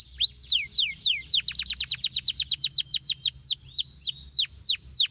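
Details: A male canary sings training song for canaries that have stopped singing. Loud, high, down-slurred whistled notes repeat about four times a second, briefly speed into a quicker roll, then slow again into separate drooping notes.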